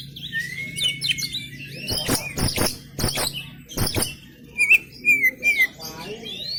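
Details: Melodious song of a trophy-winning contest Oriental magpie-robin (kacer): long whistled slurs and trills broken by several loud knocking clicks midway, then rapid repeated whistled notes near the end over a low steady hum.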